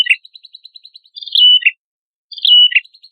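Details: Prenjak kepala merah singing energetically as training material for songbirds: a run of quick high ticks, then two buzzy phrases that each end in a whistled downward slur, separated by a short pause.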